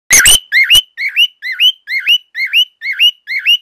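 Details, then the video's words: Male cockatiel kept as a pet, calling loudly: a fast series of two-part whistled notes, each dipping then sweeping upward, repeated about twice per second, with two harsher broadband notes at the start. "Bio.. so loud!"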